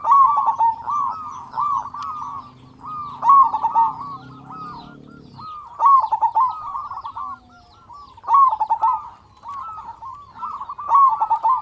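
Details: Local zebra dove with a big voice, used as a lure to make other doves sing sooner, repeats bouncy trilled cooing phrases roughly every two to three seconds, with a low hum early on.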